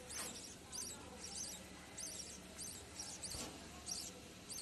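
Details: Show-cross budgerigars in a breeding setup, 5 November 2022, give quick, high, scratchy chirps in short bursts, roughly twice each second.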